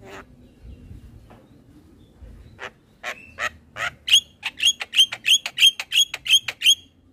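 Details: Javan myna lure and tutor audio for young mynas: scattered harsh notes, then a loud, quick series of grating chirps with a whistled edge, about three per second.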